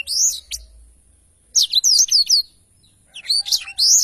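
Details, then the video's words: Blackthroat singing a lively, long rolling song (ngerol panjang) used as a tutor recording for training other birds: three bursts of high, rapid twittering and sweeping whistled notes separated by short pauses, in a quiet setting. "Tarikan Suara Blackthroat Super Gacor Ngerol Panjang"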